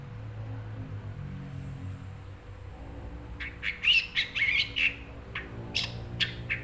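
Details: Long-tailed shrike kept as a pet bird, bursting after three quiet seconds into a rapid run of harsh, scratchy, squawking notes with a few sharp ticks, then brief scattered chirps, over a faint low hum.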